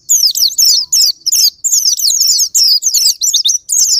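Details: Japanese white-eye, played as a singing lure: high, fast twittering phrases in short bursts of about half a second, repeated with tiny gaps between, each a tangle of squeaky rising and falling notes.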